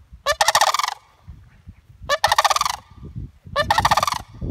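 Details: Sandhill Cranes at Savannas Recreation Area, Florida, squawk with three loud, rolling, rattled bugles, each about half a second long and roughly every one and a half seconds, over a low rumble of wind.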